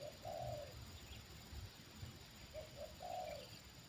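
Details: Repeated spotted dove phrases as a trained bird responds to a wild bird brought down a second time: a long coo, then two short notes and another long, flat coo, with low background rumble.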